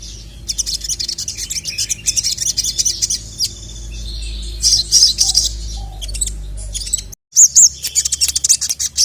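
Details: Agitated sogon, a sunbird kept as a songbird, calling to a male: rapid high twittering chirps in dense bursts, a short break near the end, then sharp high notes resume over a low steady hum.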